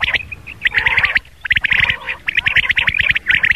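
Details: Rain quail calling in the morning, recorded as a lure for hunting; dense bursts of sharp, rapid clicking notes, repeated in clusters with short gaps.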